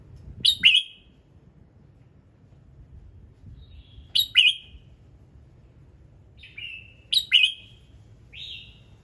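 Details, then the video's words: Morning red-whiskered bulbul song, meant to coax other birds into singing: doubled sharp, bright notes repeated about every three seconds, with softer lower whistled notes between them and faint low noise. "Chào Mào Hót Sáng Nhiều Âm Hay | KÍCH CHIM HÓT THEO LIỀN"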